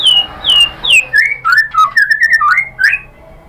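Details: White-rumped shama lure song meant to provoke other birds: clear whistled notes sliding downward, then a quick sequence of short rising and falling whistles, ending quieter.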